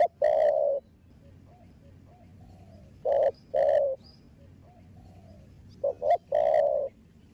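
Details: Spotted dove, a young bird of the thổ đồng voice, cooing to spur other doves on: loud, round coos spaced about every three seconds, some doubled, with softer distant cooing in the background.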